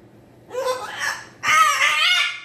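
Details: Pet cockatoo calling indoors when its owner leaves the room: two harsh, raspy screeches, the second louder and longer, rough and broad in tone.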